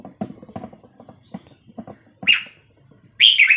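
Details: Red-whiskered bulbul of Vietnamese type, 3-4-5-6-7 song for teaching young birds and exciting them. Soft dull taps open, then a short whistled note and an emphatic bubbling phrase at the end.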